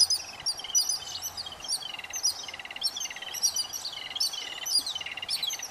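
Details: Yellow-billed Babbler chicks begging while being fed by adults: dense, continuous harsh chattering with rapid repeated buzzy notes in overlapping bursts, high and scratchy, with a faint low hum beneath.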